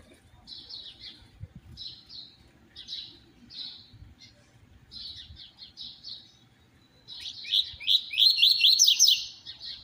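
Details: Short high chirp clusters repeated roughly every second, then a loud, quick, buzzy trill: a fiery double-collared seedeater singing the 'tui tui zero zero' style, presented as ideal for training other seedeaters.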